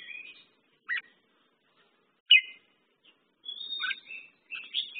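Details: Merbah jambul, or red-whiskered bulbul, giving short sharp chirps and slurred whistles, then a longer warbling phrase near the end, with gaps of silence between notes.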